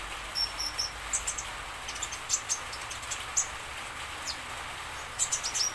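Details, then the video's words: Song of a common iora meant to make other birds answer: short high whistled notes in small groups, interspersed with sharp chirps and clicks, recurring every second or so. "KONIN DACOK ISIAN DIJAMIN BURUNG LAIN NYAUT"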